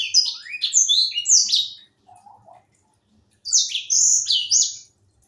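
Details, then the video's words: Young Edel sanger in vigorous song gives a rich run of clear high whistles sliding downward, then a brief soft lower chirp, silence, and a second lively phrase of sweet descending notes. "Burung sanger muda gacor"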